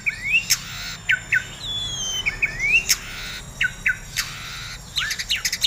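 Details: A captive White-rumped shama, over-excited in breeding condition and said to be listless from too much and irregular EF feeding, sings short bright phrases: quick rising whistles, a long falling whistle and sharp clicking chips, with brief pauses.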